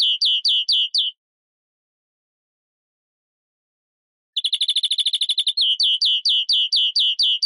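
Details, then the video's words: European greenfinch singing: a run of five quick downslurred notes, a pause, then a fast buzzy trill rolling straight into a series of evenly spaced chirped notes; clean recording with no other sounds. "Carduelis Chloris Verderon song"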